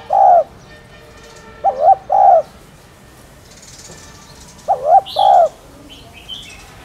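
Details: Spotted dove (cu gáy) coo used to stimulate caged birds: a single low coo, then two-part throaty phrases repeated, with faint higher bird chirps near the end.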